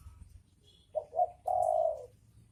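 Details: One cooing phrase from a male and female spotted dove pair: two short soft hoots followed by a longer, steady, mellow coo, then quiet.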